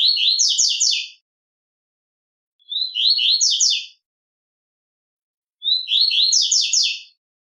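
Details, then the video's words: Three repeated phrases of Double-collared seedeater song in the velox tui tui style, each a thin rising note followed by fast buzzy stacked trills, spaced by quiet pauses of about one and a half seconds. "Canto Coleiro velox tui tui para fibra"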